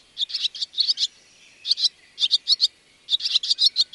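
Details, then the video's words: Barn swallow giving quick bursts of high, scratchy twittering notes, several per second, in short runs separated by brief pauses. "Barn Swallow"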